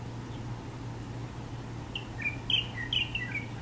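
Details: Chinese bulbul singing on a university campus in Taiwan: after quiet, a short phrase of bright, varied whistled notes, some sliding up and down, over a steady low electrical hum.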